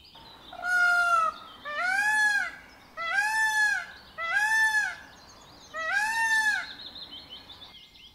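Indian Peafowl giving five loud, nasal, arched wailing calls in a row, each under a second and spaced about a second apart, over a quiet background.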